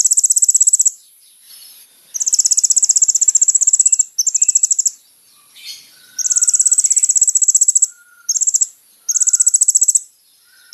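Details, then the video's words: Kolibri ninja sunbird singing lively, used as a lure: long, very high, buzzing trills of rapid ticks lasting one to two seconds, separated by brief pauses, with soft lower notes in the gaps. "SUARA BURUNG KOLIBRI NINJA GACOR"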